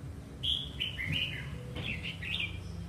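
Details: Singing red-whiskered bulbul, a wild-caught adult noted for singing often, delivers two rich warbled phrases of bright, tumbling whistles, the second answering the first after a short pause, with faint background hum.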